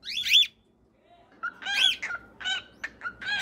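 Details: Cockatiels calling: a harsh, raspy chirp, a short pause, then a string of quick, scratchy chirps and squawks at an uneven pace of roughly one every half second.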